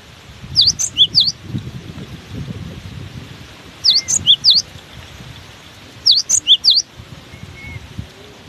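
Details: Cinereous tit singing through strong wind: three phrases of about four bright, high whistled notes, one roughly every two and a half seconds, with low wind noise between.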